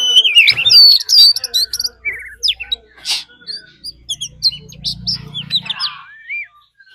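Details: Oriental magpie-robin decoy bird singing a fighting song mixed with a wild female's call, used to provoke other birds; rich, varied whistles and sweet rising slurs interspersed with sharp chirps and a few harsh clicks, delivered in rapid bursts.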